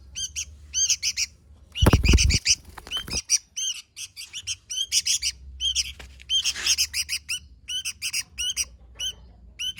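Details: Sooty-headed bulbul giving lively gacor song: steady bright chirp runs, with a loud low thump or handling knock around two to three seconds.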